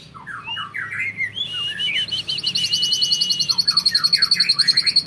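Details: Caged white-rumped shama of a champion bloodline, Vegas BF ring, singing long bursts: slurred whistled phrases, then a sustained high trill of rapid repeated notes, about 214 per minute, building steadily louder.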